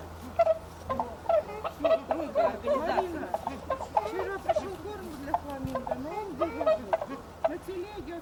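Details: A flock of captive greater flamingos moving to their winter enclosure gives continuous gabbling chatter, with short nasal honks and grunts overlapping irregularly over a low background hum.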